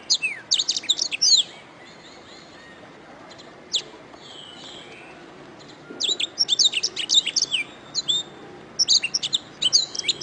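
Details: Master-recording song of a canary: an opening flurry of high chirps, a long quiet stretch with a few soft notes, then two lively bursts of rapid, sharp twittering.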